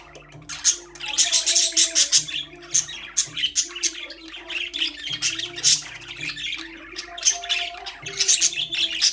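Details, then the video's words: Budgerigars kept in a cage give a busy stream of harsh, buzzy chirps and chattering squawks, loudest in the first seconds, over quiet background music with a slow low tune. "Budgies parrot #chirping sound"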